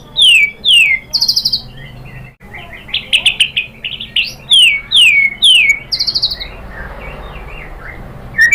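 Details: Murai batu (white-rumped shama) singing to provoke a listening bird: clear descending whistles, buzzy high bursts and chattering notes, repeated in lively phrases with short gaps.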